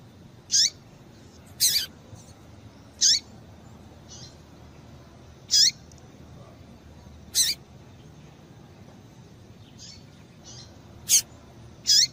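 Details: Female double-collared seedeater calling to excite a male into singing: sharp, very high, brief chips spaced irregularly, every one to two seconds, with a few fainter notes between, over a low steady hiss.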